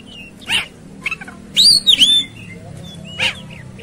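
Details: Oriental magpie-robin, a tutor recording meant to make other magpie-robins rage and fight: scattered sharp chirps, then a loud arching whistled phrase of two swooping notes near the middle, with a final short burst.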